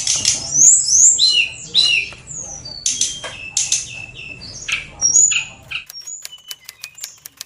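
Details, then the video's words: Oriental magpie-robin kept on a bird farm, showing high breeding condition with loud varied singing of sweet whistles, slurs and harsh notes over background rumble, then quieter rapid clicking notes with occasional whistles. "CIRI-CIRI KACER SEDANG BIRAHI TINGGI"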